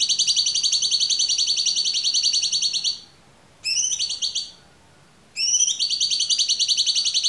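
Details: Clear cucak cungkok song, recorded to train other songbirds: long rapid high trills with evenly spaced notes, broken by short pauses and a brief rising trill phrase.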